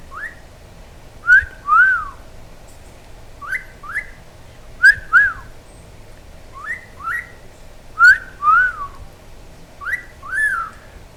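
A pet monk parakeet gives short whistled notes, mostly in pairs, each rising then falling, repeated every one to two seconds against a quiet room.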